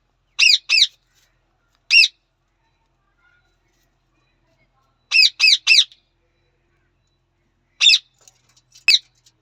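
A budgerigar gives short, harsh chirping calls in quick pairs and triplets.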